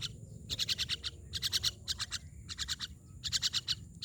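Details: Myna producing loud, scratchy rattling bursts of rapid clicks, grouped in clusters of four or five with short silences between, against faint low rumble.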